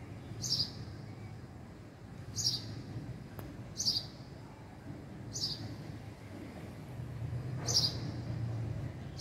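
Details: Short, high sparrow chirps from a house sparrow, five in all at uneven intervals, against a humming low-pitched background.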